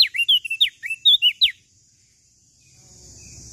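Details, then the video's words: Bright, loud chirps from a Lombok common tailorbird: around nine sharp, steeply bent whistles in a second and a half, then quiet with rising low background noise. "Burung Prenjak Daun Lombok Gacor Full Isian"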